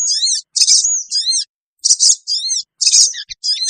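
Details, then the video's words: Sooty-headed bulbul calls used as a lure to draw wild birds together: bursts of high, thin chevron-shaped chirps in short clusters, separated by brief pauses. "suara pikat burung kecil sogon bikin sogon liar cepat ngumpul"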